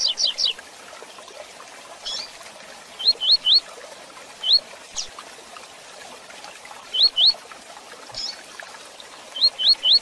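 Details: Double-collared seedeater (coleiro) singing a fast "tui tui zel zel" song: quick, high, rising whistled notes in bursts of two or three, repeated every couple of seconds, with a soft hiss behind.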